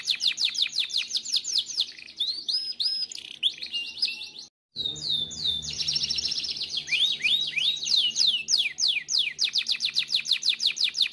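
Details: Timbrado canary singing a powerful training song: quick repeated downward chirps, rising whistled slurs and a dense rolling trill, broken by a brief silent gap midway, with faint low hum beneath.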